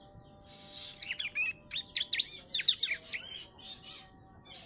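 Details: Young Bar-winged prinia, three months old, tutored with ciblek song: bursts of sharp, hooked chirps and short trills in rapid clusters, pausing between phrases, over a steady low electrical hum.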